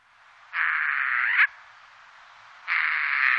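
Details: Eurasian jay heard by day giving two long, harsh, noisy rasps, each about a second long, separated by a short pause.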